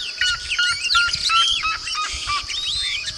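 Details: Yellow-rumped Marshbird, a marsh bird with a strong whistled, melodious song; a dense tangle of clear whistles, slurred rising and falling notes, and chattering phrases overlapping, as if several birds sing together, with a steady high hiss behind.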